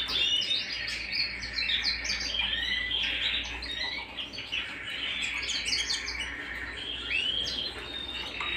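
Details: Canary singing at home, a continuous run of bright high trills and rapid chirping phrases, with sweeping whistled notes and quick repeated syllables, over a steady low hum.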